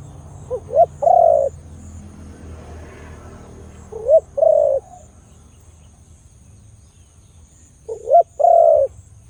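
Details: Khmer dove with a big voice repeating its call three times, roughly every three and a half seconds, each a pair of short rising notes followed by a sustained, soft, hollow coo, with faint background hum.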